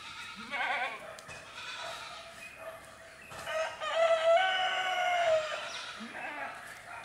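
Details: Chicken: a rooster gives a long, strained crow that rises and holds for about two seconds, with shorter bleating or clucking sounds before and after it.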